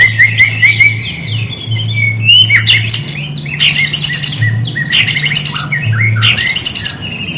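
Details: High, chattering white-rumped shama song used to goad silent shamas into singing: bursts of bright, very high trills and buzzy notes separated by short whistles, with a low steady hum beneath.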